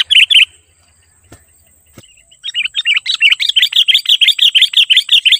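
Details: Sooty-headed bulbul in lively, energetic song, used as a lure for wild bulbuls: a brief burst of bright chirps, a short pause, then a fast run of clipped, bouncy notes repeated about three per second. A thin steady high tone sounds throughout.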